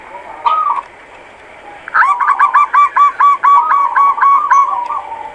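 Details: Local zebra dove calling: a short coo, a pause, then a rapid staccato run of about a dozen clipped notes that flows into a soft trilled coo, held at an even mid pitch.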